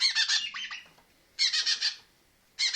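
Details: Baby red-rumped parrot giving loud, harsh, rasping squawks in rapid pulsed bursts, three bursts of several notes each separated by short silences, with no other sounds.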